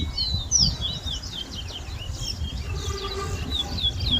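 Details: Seedfinch known as towa towa singing in a 2022 whistling contest at a bird ground in Berbice, Guyana. Fast, varied looping whistles, high and clear, rise and fall over faint low background rumble.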